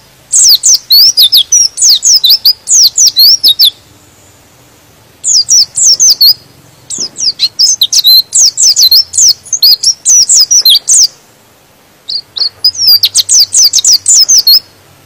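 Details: White-eye singing to provoke other white-eyes into singing: fast, high, twittering bursts of three to four seconds separated by short pauses, against a quiet background.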